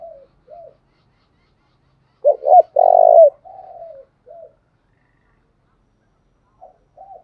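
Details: Spotted dove used as a decoy bird to lure wild doves: soft, low cooing notes, then a louder burst of throaty coos, a trailing coo and further faint coos after a pause.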